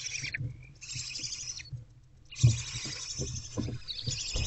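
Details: Barn owl owlets in a nest box around 4 am on 2/11/24, while their mother takes a break: rough, breathy hissing bursts, a short one first, then a longer stretch after a pause, over low thumps and bumps from the box.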